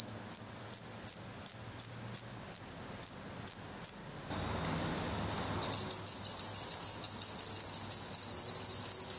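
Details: Black redstart chicks in a Portuguese nest, May 2020, eyes open and fed on worms and spiders; about ten separate sharp, high chirps at a steady pace, a brief near-silence, then a loud, dense burst of overlapping shrill calls.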